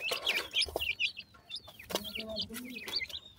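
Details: Baby pheasants calling as they feed, with rapid high cheeping notes that rise and fall in short, twisting chirps, repeated many times a second and then thinning out, over faint low rustling and tapping.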